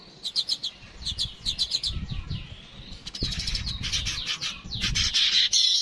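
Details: Streaked weaver chattering in clustered high ticks, then breaking into dense buzzy, hissing phrases with swept notes that grow louder toward the end, over low rumbling noise.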